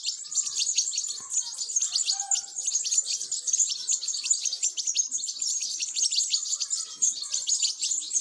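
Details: European goldfinch chicks being fed, begging: a dense, continuous chorus of thin, high chirps and squeaks, rapid and overlapping throughout, with no other clear sounds.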